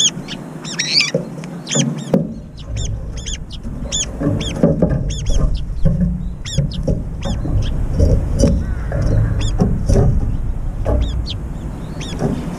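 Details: Feeding brown-eared bulbuls clash in mid-air, several birds competing for one food bowl. A long run of shrill, repeated squeaky calls over a busy rumbling background with occasional knocks.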